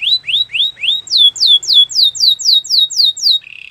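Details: Belgian canary singing upward-slurred whistles, then a steady run of falling whistled notes at roughly four per second, closing with a soft low buzzy trill.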